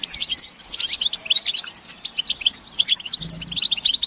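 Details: European goldfinches in a group chorus of chattering, played to stimulate silent males to sing; dense, rapid, high twittering notes and tinkling chirps overlap continuously without pause.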